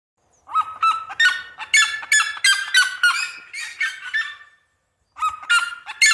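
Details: Red-legged seriema in the countryside giving its loud yelping song: a fast run of harsh, descending, honking yelps, a pause of about half a second, then the series starting again.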